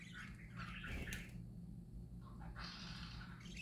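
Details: Cheerful parakeet singing: a scratchy chattering warble, a short break, then a brighter higher twittering phrase, over a steady low droning hum.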